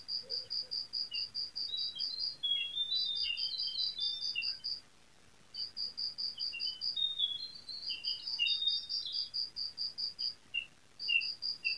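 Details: Brown prinia song, a long quiet run of rapidly repeated high short notes with lower notes and thin drawn-out whistles mixed in, pausing once before resuming steadily over light background hiss.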